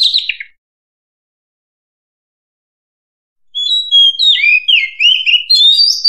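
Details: Oriental magpie-robin heard in the wild: a short falling whistle fragment, a three-second pause, then a run of bright whistled notes that twist up and down and end in rising phrases.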